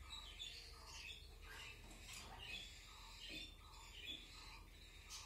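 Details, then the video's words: Cockatiel chicks begging during hand feeding: harsh, raspy calls pulsing steadily about twice a second, layered in a buzzy band, with a low background hum. "baby birds feeding"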